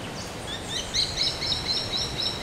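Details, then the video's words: A common black hawk (Buteogallus anthracinus) at Granja El Ojito, Falcón, Venezuela, gives a quick run of thin, high piping whistles, several notes each second, over a steady hiss of background noise. "Common Black-Hawk"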